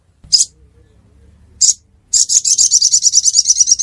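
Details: Ruby-cheeked sunbird in Aceh, Indonesia: two isolated high chips, then a rapid, even trill of sharp high notes, about seven per second, running to the end.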